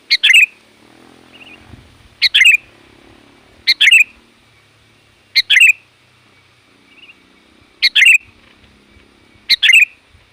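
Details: Sooty-headed bulbul persistently calling to lure wild bulbuls and face rivals, seven brisk bubbly phrases of clipped and warbled notes at irregular intervals of one to two seconds, over a low background murmur and occasional faint twitters.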